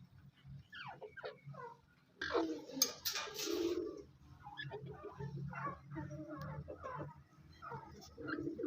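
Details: Female grey francolin (Ortygornis pondicerianus), dakhni type from Taunsa, gives harsh, repeated clicking notes in quick bursts, broken by a loud, rough rustling noise, over a low hum.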